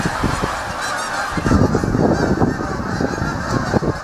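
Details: Flocking geese nearby, a loud, dense chorus of harsh honks that swells midway, over low thumping sounds.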